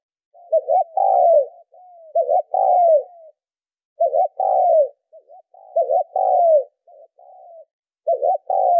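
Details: Spotted dove cooing, used to train decoy birds. Each hoarse, hollow phrase opens with a brief double note and runs into a long, drawn-out coo that slides downward. Short soft trailing notes follow, with quiet gaps between phrases and no other sounds.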